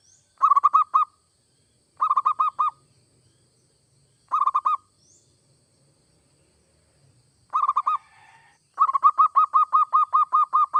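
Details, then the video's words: Zebra dove, local or Bangkok type, singing energetically to encourage other doves to sing: short clusters of rapid, trilled coos repeated every two seconds or so, ending in a longer run of about a dozen evenly spaced notes. "Suara perkutut gacor seperti ini AMPUH bikin perkutut anda cepat bunyi"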